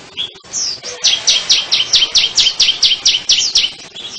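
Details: Sunbird singing a fast run of about fourteen high, bright notes, each sliding downward, delivered at roughly three per second after a few scattered opening chirps.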